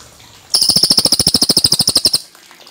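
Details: Cililin giving a clear, natural song: a burst of about twenty high, ringing chip notes in rapid even succession lasting under two seconds, framed by quiet before and after.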